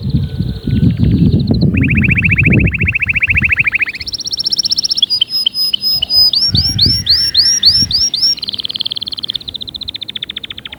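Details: Canary singing to stimulate other canaries: a high buzzy roll, then a long lower rapid trill over low background rumble, then a loud higher trill, looping whistled notes repeated about twice a second, and closing rolling trills.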